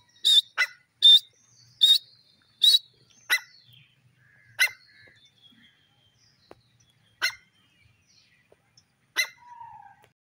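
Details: A black francolin (desi teetar) gives loud, harsh, clipped notes in quick repeated bursts.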